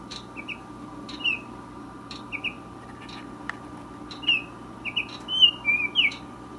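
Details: Male Baltimore oriole, a resident bird, singing on a windy day: clear whistled two-note phrases every second or so, becoming a longer run of slurred, flute-like notes near the end over a steady low hum and wind.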